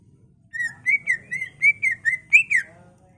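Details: Greater green leafbird, an agitated, steadily singing bird used as a training master and lure, gives a string of about nine clear whistled notes, level to slightly rising, delivered in an even, flowing run.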